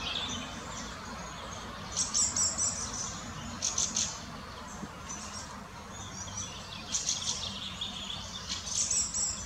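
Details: Adult and young Fieldfare at Munich's Botanical Garden giving rasping, dry chack notes, bunched in quick runs of several, with a soft low rumble of background noise throughout.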